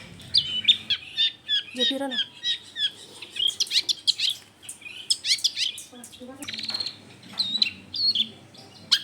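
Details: Long-tailed shrike singing energetically, used as a lure to make other shrikes sing, recorded at a home in a crowded residential area: a dense, varied stream of high chirps, trills and sharp whistled notes with short pauses.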